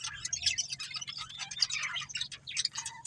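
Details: Budgerigar breeding pair chattering busily: rapid squeaky chirps and trilled warbles packed closely together, fairly soft, with a low background hum.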